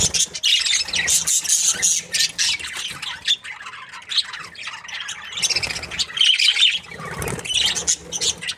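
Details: Several budgerigars sound happy here, with dense, scratchy chirping and squawky chatter that flows in overlapping bursts, pauses briefly around the middle, then rises again with a few sharper squeaks near the end.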